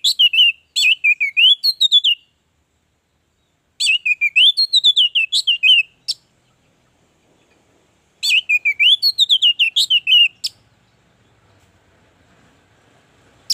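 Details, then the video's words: Vigorous song of an orange-headed thrush from a recording meant to prompt birds to sing: three long phrases of rapid, high, rippling warbles and chirps, each lasting about two seconds, separated by silent pauses. "Anis merah gacor, pancingan Anis merah agar cepat gacor"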